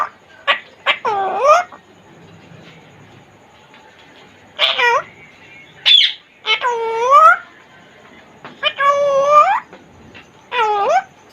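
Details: Caged African grey parrot, a Congo grey, talking in short speech-like bursts with harmonic, gliding tones, some laugh-like and babbling, separated by pauses of a second or more in a small room.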